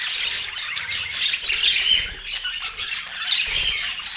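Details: Several colorful pet budgerigars feeding on sweet apple, chirping and warbling in an overlapping high twitter, with brief louder squeaky notes and occasional soft low tapping or pecking sounds underneath.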